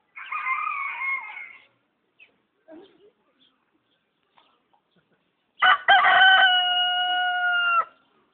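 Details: A rooster at a zoo gives two loud, harmonic crows: a short wavering one, then a longer drawn-out cock-a-doodle-doo that ends on a held note.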